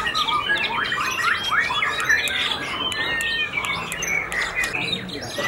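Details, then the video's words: Caged white-rumped shama, freshly moulted contest fighter with white tail, in a fast stream of short whistled and squawky phrases, several notes a second, with other singing birds and sharp clicks behind. "BOMAT MB UNIK SUPER FIGHTER PASCA MABUNG NGAMUK PODIUM SATU"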